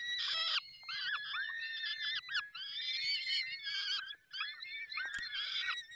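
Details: Falcons at a nest in the Barycz Valley, Poland, during feeding; harsh, wailing arched calls overlap almost continuously, with a loud burst at the start and several drawn-out squealing notes following after brief gaps.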